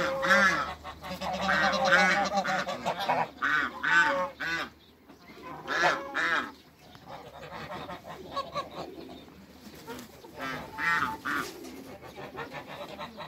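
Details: Group of African and Toulouse geese on a farm, greeting newcomers, with loud overlapping nasal honks in the first seconds, then quieter scattered honks and gabbling later, with a final burst of calls near the end.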